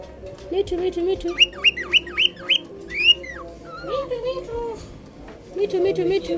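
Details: Pet cockatiel at home with its owner, talking, whistling and mimicking words: a run of five quick rising whistled notes, a longer upswept whistle, then lower wavering warbles, with a person's voice murmuring underneath.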